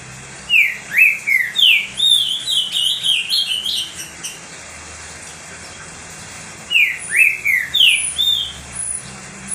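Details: Green-winged saltator kept as a pet, singing repeatedly to fire up other saltators: a long phrase of bright, swooping whistles, then quiet, then a shorter repeat of the same opening notes.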